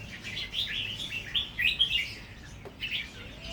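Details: Natural-style Red-whiskered bulbul beginning to sing doubled phrases: a continuous fluty, bubbling warble of slurred notes, then a brief pause and a softer closing phrase.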